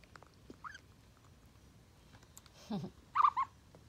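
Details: Four-day-old common ostrich chicks give a few soft, short, wavering peeps, one early and two close together near the end, with a brief low thump or murmur between.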